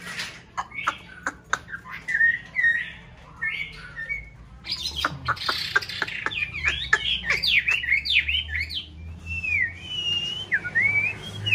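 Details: Chinese hwamei kept in a conservation aviary in a mountain town during breeding season, with a pair ready to nest; loud varied song of sharp clicks and rapid whistled notes, then rising and falling slurred whistles near the end.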